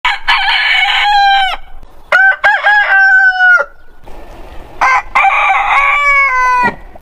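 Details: Roosters of heritage chicken breeds crowing in quick succession: several loud harmonic crows, each rising into a long level note that drops away at the end, with short gaps between the birds.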